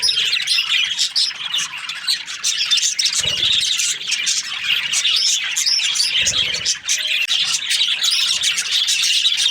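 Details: Australian budgies produce a loud, steady mass of high chirps and chattering warbles, with a couple of brief low thumps in the background.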